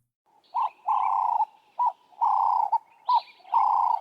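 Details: Ring-necked dove in southern Africa giving mid-pitched, throaty coos in a repeated pattern: a short note, then a longer drawn-out one, cycling roughly every 1.3 seconds.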